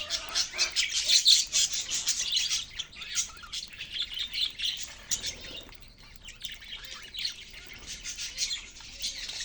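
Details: Several caged budgies chatter; rapid high-pitched chirps and warbling twitters, loudest at the start, then a softer, steady twitter.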